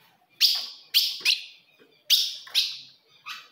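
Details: Female ultramarine grosbeak call meant to stir up a male: bright, clipped chip notes in uneven pairs and singles, each dropping quickly, over a quiet background.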